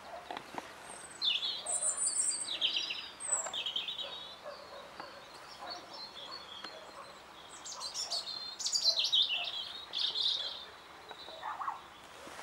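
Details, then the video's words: European robin singing in spring 2014 in reply to a recording played back, giving short, high, varied phrases of thin warbles and sharp trills, each burst followed by a brief pause, over faint outdoor background noise. "Robin Redbreast singing"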